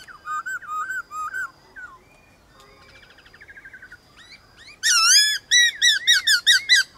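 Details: White-cheeked laughingthrush in a morning singing duel with wild birds: wavering whistled notes, a soft rapid trill, then loud harmonic-rich phrases repeated several times per second.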